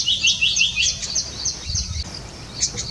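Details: A dense run of shrill, slightly trilled chirps from a pair of little green bee-eaters perched in Jhalana while searching for their next meal, fading after two seconds before a few final notes.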